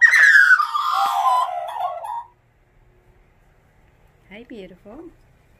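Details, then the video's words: A family of four wild Australian magpies sings a morning chorus at a front door: a loud, rich, warbling phrase sliding downward for about two seconds, then a brief burst of softer chortling notes. "Morning Song - MagPie Therapy"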